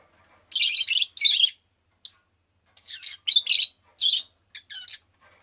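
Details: Rosy-faced lovebird, a pet, chatters in long scratchy, grating chirp bursts, first a loud doubled phrase, then a jerky run of shorter rasping notes.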